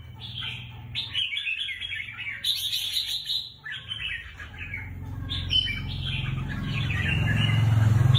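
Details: Caged red-whiskered bulbul, a pet songbird kept as a competition fighter: bright warbled phrases rising and falling between roughly mid and high pitch, several bursts over the first six seconds, with a low rumbling hum growing louder toward the end.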